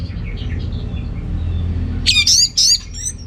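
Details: Orange-headed thrush from Singaraja, North Bali, singing to stir males lacking breeding drive: faint soft notes at first, then a loud burst of high, tumbling whistled phrases near the end over a low hum.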